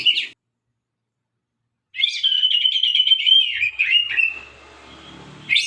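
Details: White-rumped shama, murai sabang strain, with a short note, long silence, then a steady, sharp warbling trill at an even pitch that trails off into faint background noise.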